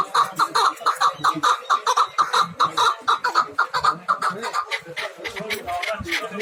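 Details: Hybrid chukar partridges at a bazaar in Dushanbe (Zarafshon), giving rapid, harsh, clucking chuk notes in uneven bursts, with market voices and chatter in the background.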